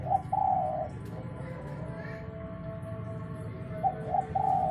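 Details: Lure call of a young, untrained spotted dove: a soft short note and a drawn-out rolling coo open the recording, then the same phrase returns near the end, with constant low droning noise underneath.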